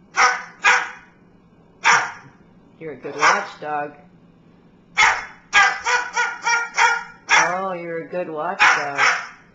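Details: Pet bird barking like a watchdog: loud rasping barks in short volleys separated by pauses, mixed with a person's encouraging speech and laughter.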